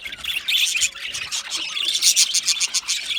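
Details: Budgerigars chirping, a gentle sound made when content or communicating with each other; dense overlapping high chatter and quick twittering notes from several birds, pouring on almost without pause.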